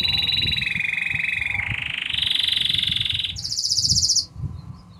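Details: Intense yellow Belgian canary in full song, rolling through sustained rapid trills that shift pitch: a mid trill, a lower one, a brighter higher roll, then a very high, fast trill that stops abruptly, leaving a soft low background rumble.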